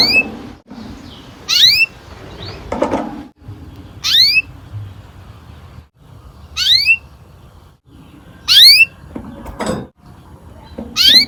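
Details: Canary song used as a prompting recording to get young canaries singing a long roll: loud bursts of sharply rising, whistled sweeping notes about every two seconds, with softer chatter and quiet gaps between them.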